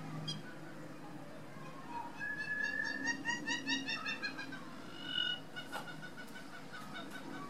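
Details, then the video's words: Hamerkop giving a laughing call: a run of rapid, nasal, harmonic notes that builds and rises mid-clip, then tails off, over low background rumble. "The Crazy Laughing sound of the Hammerkopf bird"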